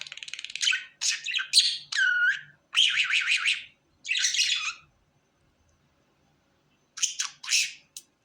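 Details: A happy pet budgerigar gives several harsh, buzzy chatter phrases and a wavering whistled note, then falls silent for about two seconds before two short squeaky bursts.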